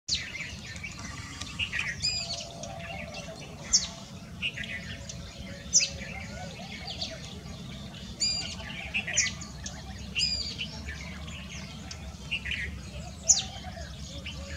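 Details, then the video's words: An Oriental magpie-robin giving territorial display calls of sharp, high whistled notes and short scratchy phrases every second or two, over a steady low rural hum. "Oriental Magpie Robin - Calling and Territorial display"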